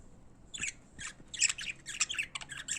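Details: Pet budgerigars singing indoors, a run of short harsh squawky chirps and buzzy warbles in quick succession, high and scratchy, with brief gaps between bursts.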